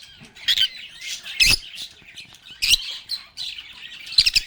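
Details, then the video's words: Several lovebirds sing and talk: busy high-pitched warbling twitters run throughout, broken by loud shrill squawks at about half a second, one and a half seconds, near three seconds and at the close. "Lovebirds agapornis sounds | Relaxing Sounds of Singing, Playing, and Talking Parakeets"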